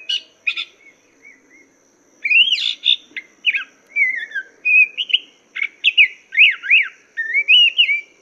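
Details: Chinese hwamei master song for teaching cage birds: a few short chips and soft whistles, then a long lively sequence of loud varied whistles, rising slurs and quick zigzag notes delivered nearly without a break.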